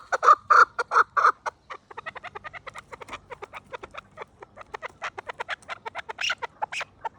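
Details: Chukar partridge calls from 2026: a few loud, harsh chuk notes open, followed by a quicker, quieter stream of clucking notes that swells again near the end.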